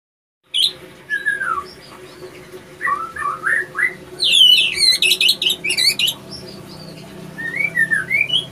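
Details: Male White-rumped shama in breeding condition, kept in a breeding facility, singing varied phrases: slurred whistles dropping and rising, then a burst of rapid high buzzy trills and sharp notes, with a faint low indoor hum beneath.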